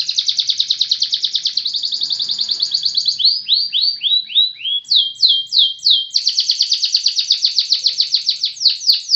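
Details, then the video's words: Canary singing energetically in a continuous, high-pitched stream. A fast, even trill gives way to a run of sweeping downslurred notes, then a few clipped phrases, and ends in another rapid rattling trill. There is no background noise. "KENARI GACOR SATU TITIK"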